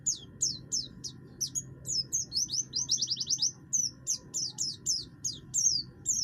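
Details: Rough-voiced buxtoni oriental white-eye singing to stir other birds into singing: quick high falling chips, a rapid trill-like burst of repeated notes midway, then more sharp chirps, low hum throughout.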